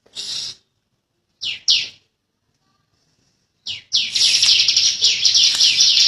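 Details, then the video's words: Bar-winged prinia (ciblek), a young bird: a few short, sharp high chirps, then a sudden long, dense rattling 'ngebren' trill that carries on to the end. "Ciblek Kali | Cikal Super Ngotot Ngebren Rapet Panjang"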